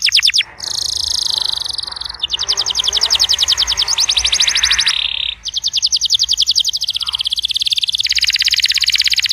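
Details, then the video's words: Canary song to coax a silent canary into singing: fast high trills and buzzy rolls with a dense broadband wash in the background. "PUTAR VIDEO INI JIKA KENARI ANDA MACET BUNYI"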